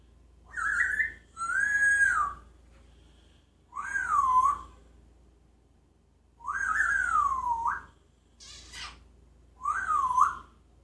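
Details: Pet parrot that talks, sings and imitates sounds, in Jeddah, whistling a tune: five clear whistled phrases in about eleven seconds, each a rising then falling swoop, with short pauses between and a quiet indoor background.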